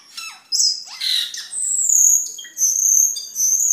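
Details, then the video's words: Cucak keling singing in a lively, energetic style, kept as a master voice for training other caged birds and as a lure; sharp downslurred squawks give way to long, high whistled notes with buzzy trills at the end. "Suara Burung Cucak Keling Gacor untuk Masteran dan Pikatan"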